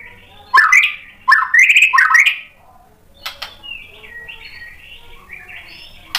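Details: White-rumped shama song meant to provoke other shamas to answer: a few loud rising whistled bursts with clicks, then quieter thin warbling phrases and a sharp note at the close.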